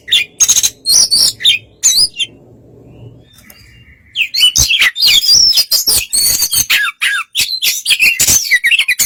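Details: White-rumped shama song used to provoke another shama into answering: rapid chirps and whistles, a quiet pause with a long steady thin note, then a dense burst of twittering, buzzy phrases.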